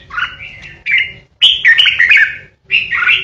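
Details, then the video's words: A lure red-whiskered bulbul kept captive gives its 'ché' song to threaten rivals: rich, liquid warbled phrases running together, one long tumbling passage in the middle, ending with another bright rolling burst. "Chào mào mồi hót ché đỉnh | Red-whiskered Bulbul | นกปรอดหัวโขน"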